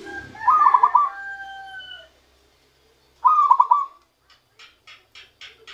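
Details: Zebra dove trapped by luring, beginning its natural song: a short rolling coo of quick pulsed notes over a noisy background, a second clear rolling phrase, then a string of faint clicks.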